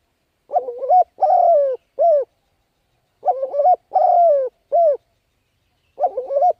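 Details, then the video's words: Spotted dove cooing phrases used to stimulate decoy birds: a quavering rising coo, a long slurred descending coo, then a short final note, the phrase repeated about every three seconds with silence between. "Cu Gáy Thúc Gù Gáy Cực Phê Kích Mồi Tập Bổi Quá Hay"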